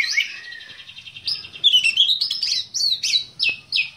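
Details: Black-breasted Oriental magpie-robin kept as a cage bird, singing a fast buzzy rattle that runs into sweet, high whistles and clipped, downslurred notes repeated about three times a second.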